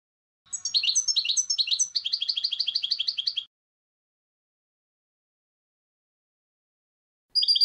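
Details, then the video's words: Goldfinch song of twittered, slurred chirp groups leading into a faster run of repeated high notes, then a long silence and a fresh phrase starting at the end. "Goldfinch Song"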